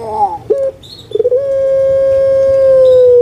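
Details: Captive puter pelung, a collared dove breed from Java, used to coax lazy birds into calling: a wavering short note, a few stuttering gurgles, then a long unbroken coo slowly falling in pitch.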